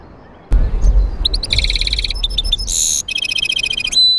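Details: European goldfinch × canary mule singing: after a sharp knock, loud bright twittering phrases of clear high notes, a brief harsh buzzy burst, then rapid repeated chips and a final sustained whistle, over low rumbling background noise.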